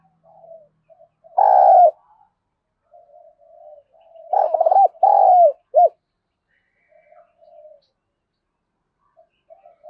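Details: Spotted dove contest cooing in the 'giọng thổ' voice: a single strong low coo, soft quiet coos, then a louder stuttering series of three coos ending in a short clipped note, soft coos trailing after.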